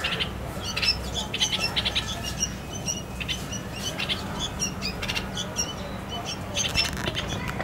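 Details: A red-vented bulbul feeding chicks at the nest just before they leave it: a busy run of short, high, squeaky chirps repeated in quick clusters, over a steady low hum and faint background noise.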